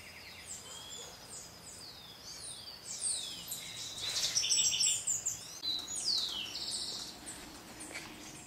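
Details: Dusky bush-tanagers (Chlorospingus semifuscus semifuscus) at Sachatamia Lodge, Ecuador, in May 2012, give thin, high chips and short twittering notes in quick, uneven bursts over steady hiss.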